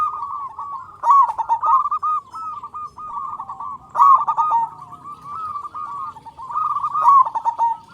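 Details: Zebra dove of a local strain, loud-voiced and singing persistently, recorded as a lure for other doves: continuous trilled cooing with stronger bursts about every three seconds and soft quieter coos in between.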